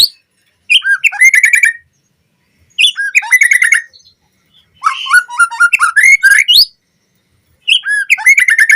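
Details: White-rumped shama song for training captive birds to sing constantly: separate bursts about two seconds apart, each a rattling run of rapid chips and whistled notes, with quiet gaps between.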